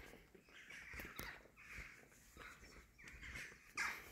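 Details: Jackdaws in the morning give a run of short, harsh, nasal calls, about six in four seconds, some drawn out like a croaky "hello", over a faint background rustle.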